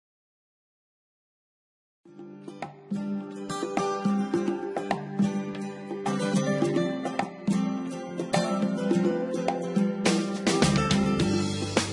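After two seconds of silence, plucked-string music plays steadily with no animal voice.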